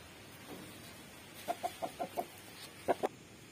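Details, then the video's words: Big-breed chicken clucking: five short, evenly spaced clucks, then a pause and two louder clucks close together, over a soft steady background hiss. "Big Breed ll chicken song"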